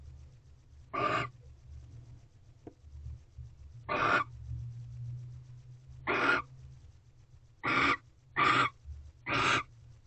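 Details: Barn owls mating at night at a nest box, on the evening of 18 February 2023 as another mouse is brought: six raspy, broadband screeches at uneven intervals, the last three in quick succession, over a constant low droning hum.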